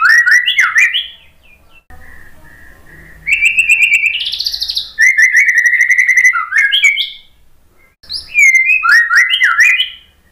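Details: Song of the white-rumped shama, used to coax a non-singing bird: rapid slurred whistles, a sustained buzzy trilled note rising in pitch, chattering phrases and further quick rising notes after brief pauses.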